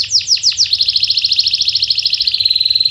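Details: Canary song used as a lure for silent birds: four falling sweeps lead into a rapid pulsed trill that settles into a steady whistled note.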